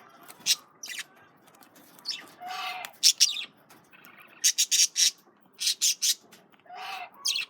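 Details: Male budgerigars feed on carrots while chattering, with quick, shrill chirps in tight clusters of three or four and a few longer, rasping screeches.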